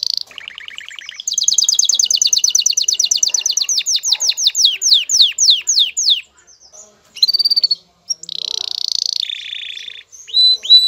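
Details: Male canary singing excitedly to a female for mating: a low trill, then a long series of rapid descending sweeping notes that slow into separate slurs, followed by short buzzy trills and thin whistles.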